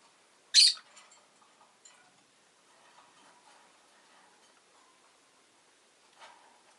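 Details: A single sharp, harsh chirp from a pet rosy-faced lovebird opens the clip, followed by long quiet stretches of faint rustling and one soft call near the end.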